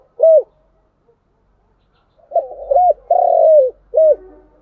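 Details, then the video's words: Spotted dove coo in the chiêu and thúc styles: a lone short coo, a pause, then a phrase of stuttering lead-in, clear coo, long buzzy falling coo and final short coo over a low background hum. "Tiếng cu gáy chiêu và thúc hay"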